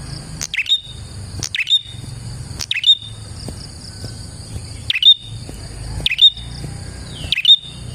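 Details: Lively prinia song used to attract and trap prinias. Six bright, high chirps come at uneven gaps, with a continuous shrill buzzing and faint low rumble behind.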